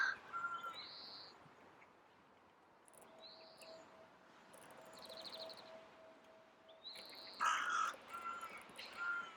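Great spotted woodpecker giving short, sharp, high calls spaced a couple of seconds apart, with other birds' clear whistled notes and faint background hum.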